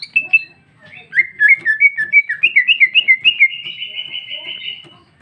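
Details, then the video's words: Green leafbird female, the cucak ijo, delivering 'gacor' song full of 'isian': a long chain of rapid, slightly warbled whistled notes, about three per second, rising gradually in pitch toward the end. "Cucak ijo betina paling gacor ngeplong isian super mewah"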